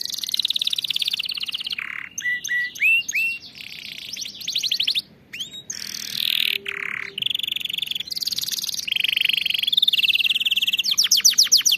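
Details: Canary song meant for training canaries to sing, a long varied sequence of fast trills, buzzy rolls, rising whistled notes and ringing tours, with brief gaps between phrases.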